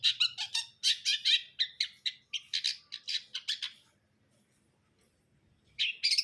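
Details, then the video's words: Long-tailed shrike singing: a fast string of harsh, scratchy chirps and squawky notes packed close together, then a pause, then a fresh burst of rasping notes. "KICAUAN CENDET BRUNDOL"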